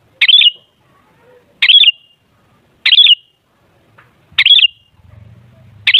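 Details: Sooty-headed bulbul meant to set other bulbuls singing: short, rich, warbled phrases repeated roughly every one and a half seconds, with a soft low hum near the end.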